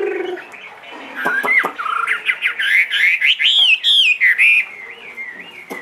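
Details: Two-and-a-half-year-old caged Chinese hwamei, a big bird said to sing in any setting, delivering loud, varied whistled phrases that slur up and down, with quick sweeping notes tumbling one after another.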